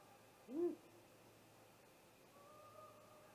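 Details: Great horned owl attacking a great gray owl at its nest, recorded by a nest live cam just after midnight on 30 March 2018: one short, low, arched hoot rising then falling, over a steady faint hum.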